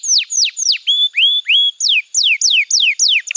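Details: Canary song used as a master for young canaries: clear whistled notes sweeping downward, a few rising slurs in the middle, then more quick descending whistles, about three per second.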